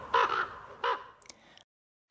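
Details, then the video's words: Two short, harsh, guttural croaks from a common raven, the first slightly drawn out, followed by a faint click before silence. "The Raven - Bird Song"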